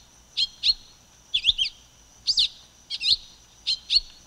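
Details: Sharp paired chirps, high and clear, from a silver-beaked tanager, repeated in a loose steady rhythm of six phrases.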